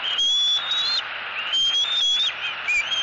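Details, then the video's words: Squealing eaglet in southwest Florida demands fish from its mother. Drawn-out, high, whistled screams rise gently and then drop, followed by a shorter downslurred squeak. "SWFL Eagles ~ Harriet Maintains Control ~ Screaming E11"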